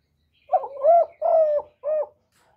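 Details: Caged spotted dove used to lure wild doves, calling a three-note coo: a short hoot, a longer swelling coo and a brief final note, deep and soft against silence.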